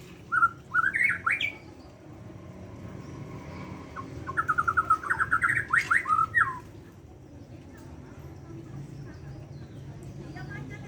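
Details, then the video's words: Morning song of a Bornean white-rumped shama: two short phrases of quick rising whistles and chattering notes, the second longer and rapidly repeated, then quiet background hum. "Kicau murai borneo di pago hari"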